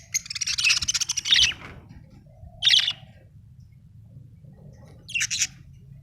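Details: Happy budgerigar from Australia: a long scratchy chattering burst, then two shorter chirped bursts after pauses, with a faint low tonal hum between.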